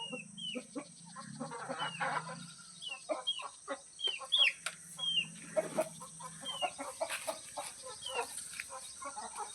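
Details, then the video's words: Village hen feeding, with short high downslurred peeping notes repeated irregularly about every half second, likely chicks, over soft low clucks, a steady high electrical whine and faint background noise. "Village hen #chickensound"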